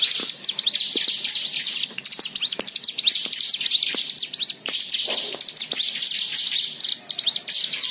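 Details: A white-eye sings a varied, high, chattering song, played to coax other white-eyes into singing. Quick upslurred chirps run almost without pause, with a few louder accented notes.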